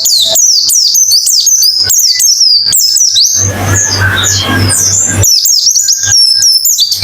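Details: Pleci (white-eye) song for singing therapy: quick runs of high, sharply falling chirps, broken midway by about two seconds of broadband noise with a few softer notes, then the fast chirping resumes over a constant low hum.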